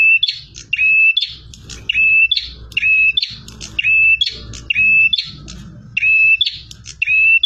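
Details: Aggressive bar-winged prinia in full song, a long run of level whistled notes each tipped with buzzy chirps, repeated roughly every second, with louder low rumbling noise in between.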